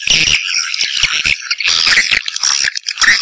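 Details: Swiftlets, labelled Sp M567, giving a busy chorus of shrill twitters and chirps with crackling clicks and a few brief whistled notes.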